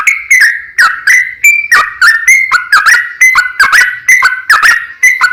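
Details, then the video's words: Energetic gacor singing of a yellow-vented bulbul in long 'ropel panjang' style, meant to provoke other bulbuls into singing back; clear liquid whistled notes with quick downward slurs, strung together densely and continuously. "JADIKAN SUARA trucukan gacor ROPEL PANJANG pancingan trucukan agar bunyi burung trucuk gacor NYAUT"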